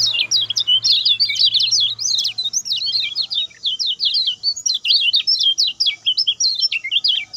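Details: A lemon-bellied white-eye sings its speedy, short-phrased song for training other birds: long continuous run of high, rapid, zigzagging chirps and trills, loud and unbroken, with a faint low hum at first.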